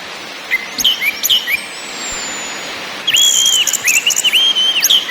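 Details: Lure song of the orange-headed thrush (anis merah), meant to excite birds into singing: scattered high notes, a pause, then a string of loud, fluty, slurred whistles dipping and rising in quick succession.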